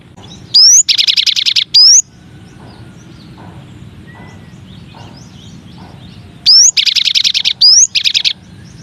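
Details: Cinereous tit, locally gelatik batu or gelatik wingko, in a masteran variation: rising whistled upslurs framing a dense buzzy rasping burst, heard twice with a quiet gap between.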